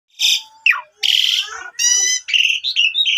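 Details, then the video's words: Asian pied starling in vigorous lure song, used to coax sulking, silent birds into singing again: a harsh buzzy burst, a falling slurred whistle, then rasping harmonic-rich notes and short bright whistled phrases over about three seconds. "Pancingan Maut Jalak Suren Pundung Langsung Gacor Dan Bongkar Isian"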